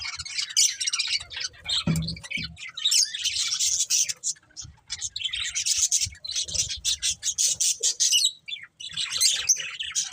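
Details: Budgies chirping in a dense, busy chatter of high scratchy twitters and squeaks, with brief pauses and a short low thump near the two-second mark.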